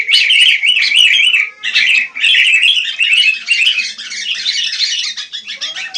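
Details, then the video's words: Sooty-headed bulbul in the wild giving a long run of bubbly, fluty warbles that blur into a dense chattering stream, slightly fading toward the end. "Rame Kicau Burung Kutilang"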